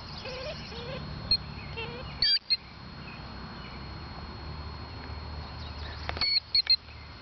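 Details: Female killdeer near her nest, seemingly flustered by people standing a foot away for five minutes, giving loud, shrill, whining high notes in two short bursts, one near the start and a quick run of three later, over a steady low rumble.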